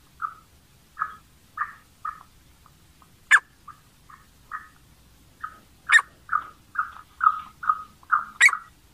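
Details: Black francolin calling to attract and excite other francolins: short harsh chirping notes repeated roughly every half second, a few sharper high clicks standing out, in a quiet rural setting.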